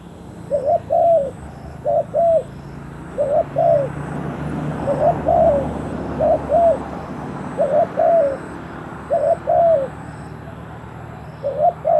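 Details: Spotted dove used as a decoy to lure wild doves, giving mellow, low cooing phrases of a short note then a longer, slightly rising-falling one, repeated about seven times across twelve seconds over faint background hum.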